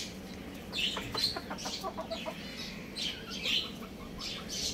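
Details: Young roosters and chicks playing at home give short, soft, scratchy calls in irregular bursts, a few close together then pauses, over a steady low background hiss.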